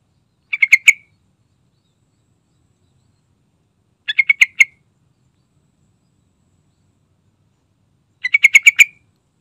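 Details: Lure song of an energetic sooty-headed bulbul: three rapid, bright phrases of four to six bubbly notes, spaced about four seconds apart, the last phrase fullest, with no other sounds.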